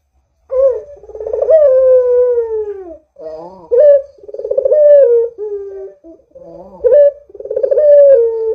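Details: Persistent coos of a Barbary dove, meant to prompt other doves into calling: drawn-out, buzzing, downward-sliding coos broken by short, sharper rising notes, roughly one phrase every three seconds.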